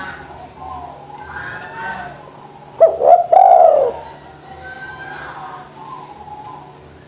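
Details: Lure recording of a spotted dove, played to make lazy doves call: a single throaty phrase of two quick notes and a drawn-out descending coo, with faint chirps and a low hum behind.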